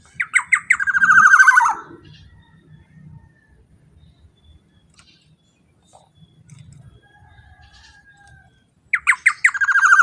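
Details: Black-naped oriole calling loudly for luring other orioles: a series of harsh notes speeding into a buzzy rattle, several seconds of near quiet with a faint thin whistle, then the same accelerating rattle again.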